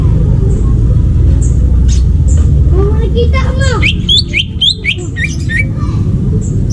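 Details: Greater green leafbird singing in the wild forest: a falling, warbled run of notes leads into a burst of loud, bright, hooked whistles and chirps, set against steady low background rumble.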